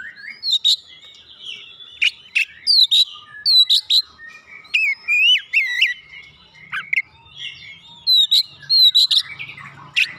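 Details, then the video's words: Oriental magpie-robin in full, lively song meant to spur a reluctant bird into singing: clear, varied whistled phrases, rising and falling slurs and sharp upward sweeps, delivered in bursts every second or so with brief pauses between. "merangsang Kacer malas bunyi langsung gacor"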